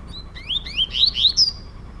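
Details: Two captive male Double-collared seedeaters dispute indoors, one a trovoada-style singer; a phrase of rising whistled slurs stepping upward, finishing on a long, high, level whistle.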